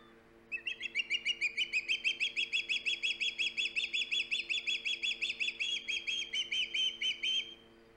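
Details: A long, loud series of rapid whistled yelps from an osprey at its Hog Island nest, live camera, 3 September 2019; roughly three notes per second for seven seconds, faint low hum underneath.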